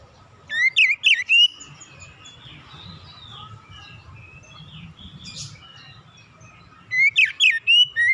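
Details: Oriental magpie-robin relaxed lure song for young birds: a burst of sharp, up-and-down whistles at the start, several seconds of quiet with a low background rumble, then another rapid whistled phrase.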